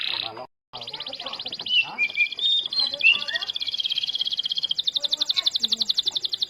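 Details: Starblue canary song meant to get other canaries singing; a short gap, then mixed chirps and whistles building into a steady, very rapid high trill, with faint talk underneath.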